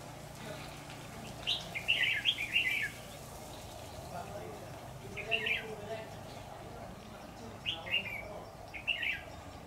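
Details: Red-whiskered bulbul at a trapping setup on 10 September 2019 sings short warbled bursts in clusters with pauses of a few seconds between them, over steady low background noise.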